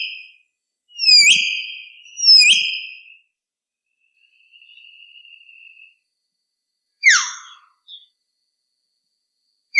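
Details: Common hill myna calling with two loud, rising whistles that hold steady, then a faint level tone, later a sharp downward-sweeping note after a long pause.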